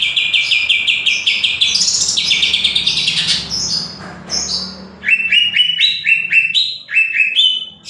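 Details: Loud, varied greater green leafbird song: rapid repeated chirps that climb into high squeaky warbles, followed by a series of sharp rising whistled phrases repeated several times.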